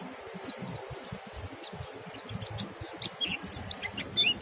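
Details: Monty bird giving its ngalas song, said to stimulate other birds to sing: sparse, very high, short chirps at first, becoming faster and more varied toward the end, over soft low background noise.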